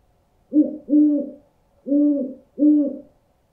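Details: Low owl hoots used to scare off birds, four rounded notes grouped as two pairs about a second apart, each swelling then trailing off, in otherwise quiet surroundings.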